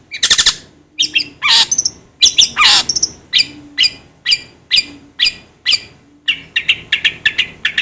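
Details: Long-tailed shrike song used as a tutor recording for cage birds: a sweeping harsh note, then a steady string of sharp, clipped high chirps about every half second. A faint low hum runs beneath.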